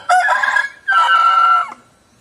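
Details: A rooster crows loud and close in two hoarse, strained parts: a short first burst, a brief pause, then a longer, steadier drawn-out note that cuts off abruptly.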